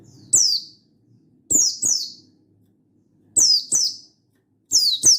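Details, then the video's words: Wild-style singing of a Buxtoni mountain white-eye calling a rival, recorded 16/8/22: one lone high falling note followed by three evenly spaced pairs of sharp downslurred whistles. "Burung Buxtoni Gacor Ngalas Memanggil Lawan"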